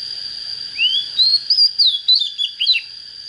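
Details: Oriental magpie-robin with a good standard voice, just coming into form, gives a clear upward whistle that runs into a rapid string of looping, varied whistled notes, ending after about two seconds.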